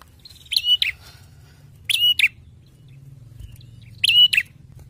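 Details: Bar-winged prinia from Indonesia, its loud, ringing song praised as a sign of quality: three bursts of sharp, clipped, metallic double notes, each pair quick and emphatic, separated by short pauses, with a low hum underneath.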